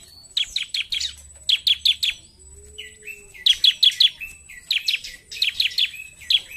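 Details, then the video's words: Ciblek, the bar-winged prinia, in lively 'narung' singing: rapid chattering bursts of bright, buzzy chips, four or five at a time, repeated in groups, with a soft hum and a low tone in the background. "CIBLEK GACOR NARUNG!"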